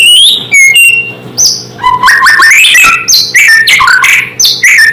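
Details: White-rumped shama in full song, used to make other shamas agitated: sweeping high whistles, then a fast, continuous medley of rising, falling and chattering notes, loud throughout.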